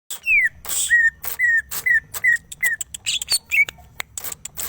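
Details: Greater green leafbird (cucak ijo geger geden) singing: a run of clear whistled notes, each sliding slightly downward, repeated about every half second, broken by sharp clicks and rasping bursts, then ending in higher twittering notes.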